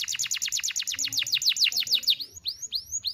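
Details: Canary in full song, used as a model to teach young canaries: a fast series of sharp descending whistled notes, then slower rising upslurred whistles.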